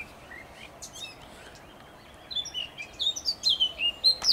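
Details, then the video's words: Recorded 27.05.2023, a blackcap opens with quiet chattering notes, then bursts into a rising, loud series of clear whistled phrases in the final two seconds. "Śpiew kapturki i kukanie kukułki. 27.05.2023 rok"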